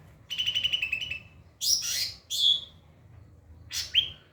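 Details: White-rumped shama song used to train other birds: a quick series of about nine repeated ringing notes, two loud rasping downward sweeps, a pause, then a final harsh falling whistle.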